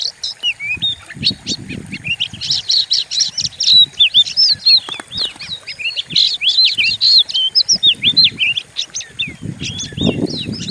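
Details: Oriental magpie-robin used as a lure recording to provoke kept songbirds, described as fierce-sounding: a dense, fast run of varied whistles, slurred up-and-down notes and sharp chirps, almost unbroken, with soft low thumps beneath.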